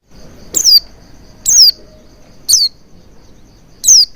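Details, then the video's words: Oriental white-eye used as a lure to prompt a captive bird to sing fully with its beak wide open: four sharp, high, down-slurred chirps spaced about a second apart over a faint, steady high hum. "Pancingan Burung Pleci Agar Cepat Ngalas & Buka Paruh Maksimal"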